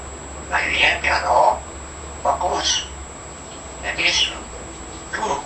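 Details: Fourteen-month-old pet African grey parrot talking indoors, a young bird uttering word-like phrases in four short bursts of voiced, speech-like syllables, with a steady faint background hum and a thin high electronic whine throughout.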